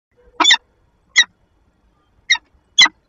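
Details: Female peregrine falcon in a nest box in Lublin, 15 February 2022, interacting with her mate, picked up by the nest camera: four sharp, harsh chips spaced irregularly about a second apart, otherwise quiet.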